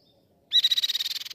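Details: Grey-cheeked tit-babbler song from a recording meant to train and prompt caged birds to sing: one fast, even trill of about fourteen high notes lasting under a second, starting loud then fading slightly.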